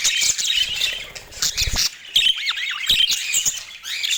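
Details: Budgerigars giving dense, scratchy warbling chatter with quick whistled squeaks and a few downward-curving notes, broken by soft clicks and low thumps.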